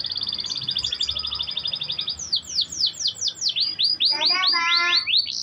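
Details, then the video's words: Canary song offered as daily playback to get canaries singing: a long rapid high trill, then repeated falling whistled slurs and a quick series of layered rising notes. "Kenari Nggak Mau Bunyi? Putar Suara ini setiap hari suara asli kenari"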